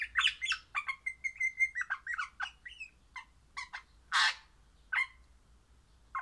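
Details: Happy singing crimson rosella of the Pennant orange colour form: harsh squawks and quick chirps mixed with a run of clear level whistles, ending in a loud rasping squawk and a few scattered calls.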